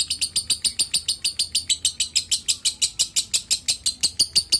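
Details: Lovebird giving a steady string of shrill, high chirps, about four each second, evenly spaced and equally loud throughout, with a faint low hum beneath.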